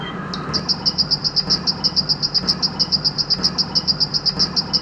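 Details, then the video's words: Plain prinia singing in the wild: a long string of sharp, high-pitched notes repeated quickly and evenly, about eight each second, over a low continuous rumble. "𝗞𝗶𝗰𝗮𝘂 𝗕𝘂𝗿𝘂𝗻𝗴 𝗖𝗶𝗯𝗹𝗲𝗸 𝗦𝗮𝘄𝗮𝗵 𝗚𝗮𝗰𝗼𝗿 𝗔𝗹𝗮𝗺 𝗟𝗶𝗮𝗿"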